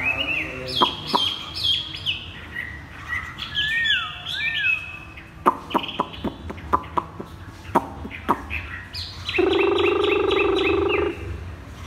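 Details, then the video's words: Caged Chinese hwamei giving "thắt cổ chai" bottleneck-style song: varied whistles and a wavering slur, scattered sharp clicks, then a long nasal, buzzy harmonic passage near the end. "Chim hoạ mi đặt đất hót thắt cổ chai thắt cổ chai"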